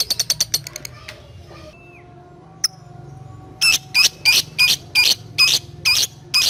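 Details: Lovebird ngetik ticking, meant to call a rival and spur ngekek trilling in young birds: a fast run of high clicks, a brief lull with a faint slide, then loud, harsh, rapidly repeated bursts.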